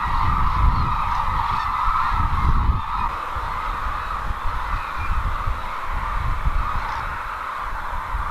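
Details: A wintering crane flock at Izumi in Kagoshima Prefecture, Japan, keeps up a steady wall of overlapping, indistinct calls. A deep rumble runs underneath throughout, with occasional louder bursts in the din.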